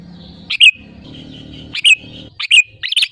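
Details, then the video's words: Sooty-headed bulbul singing as a lure to make other birds sing: short clipped chirping notes repeated roughly every second, over a buzzing low background hum. "SUARA ASLI BURUNG KUTILANG GACOR RAJA PIKAT UNTUK PANCINGAN AGAR BUNYI GACOR SEKETIKA"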